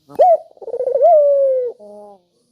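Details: Melodious, sharp call of a spotted dove, played to coax quiet doves into calling: a sudden clear opening note, a burst of quick pulsed coos, a long drawn-out gently falling tone, and a brief soft final coo.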